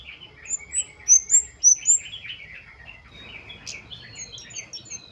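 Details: Flowerpecker singing actively in wild style, a recording meant to draw other birds into song: five piercing high slurred notes in quick succession, followed by a busier, softer twittering of lower chirps and faint high notes over light background hiss.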